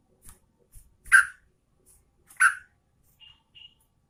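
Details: Two strong scratchy chirps about a second apart from a female sooty-headed bulbul of the Garuda type calling its mate, followed by two short, thin, high whistles and faint ticks.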